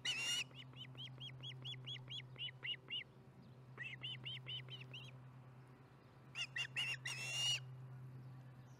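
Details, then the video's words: Osprey at the Charlo nest, chatting through dinner on 15 July 2019 at 4:30pm MDT: runs of short arched whistled chirps, about ten in a row, broken by bursts of harsher, louder notes over a steady low hum. "Charlotte chats through dinner - Charlo osprey nest"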